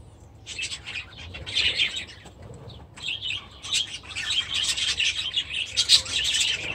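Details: Budgerigars and budgie chicks in an aviary: patchy high chirping that swells into continuous scratchy warbling chatter during the second half, over a faint low hum.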